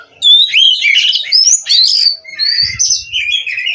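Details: Captive-bred kacer (Oriental magpie-robin) in vigorous song: sweet whistled slurs and harsher trills in varied phrases, with a faint low thumping in the background.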